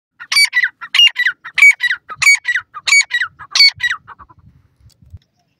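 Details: Grey francolin (teetar) calling in the mating season: loud, harsh, ringing multi-note phrases repeated six times roughly every two-thirds of a second, each rising then sliding down, followed by a few softer trailing notes and a quiet end.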